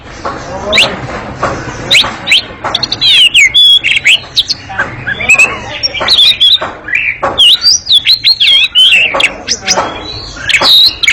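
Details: A long, very agile ngekek song from an Oriental magpie-robin: rapid clicking notes and zigzagging high whistles tumble out continuously, growing denser toward the end.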